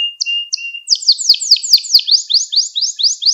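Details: Canary song meant for teaching young canaries, loud and close: two short whistles over a low tone, then a fast series of bright sweeping notes repeated about four times a second.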